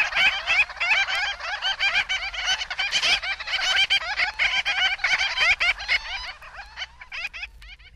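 Black Skimmers give a dense chorus of short, nasal, barking yaps, many birds overlapping in rapid, uneven bursts at a mid-high pitch.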